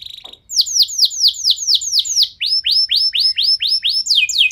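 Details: Canary singing as a prompt for other canaries: quick repeated falling whistled sweeps, about two to three per second, shifting to a lower set of similar downslurred notes near the end.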